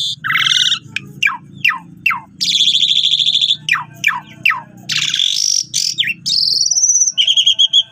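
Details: Asian pied starling singing loudly and variedly, for training other starlings: rapid falling whistles, long buzzy harsh phrases, sweeping slurs and clear whistled notes ending on a steady tone.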